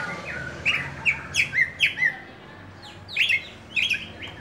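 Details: Caged oriental magpie-robin in full song: a run of sharp, squeaky whistled notes and rising slurs, some buzzy, delivered in two bursts with a short pause between, over a low steady hum.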